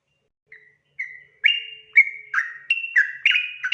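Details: Sooty-headed bulbul singing 'ropel' style as a lure for others to answer: soft opening whistles that grow louder into a fast, rolling series of bright stepped notes.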